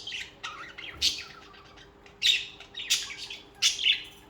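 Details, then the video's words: Budgerigars singing and chirping: scratchy warbled notes mixed with four loud harsh squawky chirps, spaced about a second apart. "Most Beautiful Bugies Song | Bugies Singing and Chirping"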